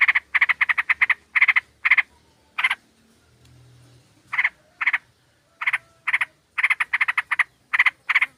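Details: Sooty-headed bulbul female calling to a male as a lure. Quick rasping chatter opens the passage, then a brief lull before more scattered and then rapid buzzy bursts.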